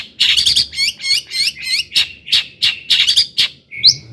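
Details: Long-tailed shrike, a lively singer, used to rouse other shrikes; a string of harsh chattering notes about three per second, ending with a short whistle.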